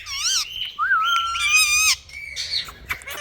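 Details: Pet Indian ringneck parakeet giving loud, sustained, harmonic-rich nasal squawks that rise and dip, ending with quieter scratchy notes.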